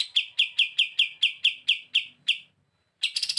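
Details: Olive-winged Bulbul in active song, used as a tutor recording: about ten clear, sharp chips evenly spaced, a half-second pause, then a rough buzzy rattle starts.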